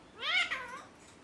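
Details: Pet green ringneck parrot, kept indoors, giving a single short nasal call that rises then falls, a meow-like sound lasting about half a second with a rich stack of overtones, over quiet room background.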